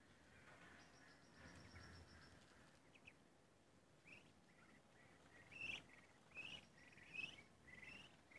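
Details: A group of 43-day-old Muscovy ducks gives short, high chirping peeps, a few spaced under a second apart, over a steady rushing background noise.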